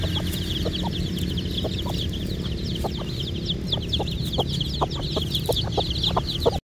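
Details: Excited little Aseel chicks peeping nonstop in a dense, overlapping chorus of high thin chirps. Scattered sharp clicks and a steady low rumbling hum run underneath.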